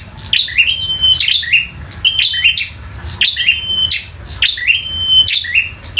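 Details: Vigorous fighting song from a local bar-winged prinia: high snapping notes, each trailed by a drawn-out steady whistle, recurring steadily about once a second.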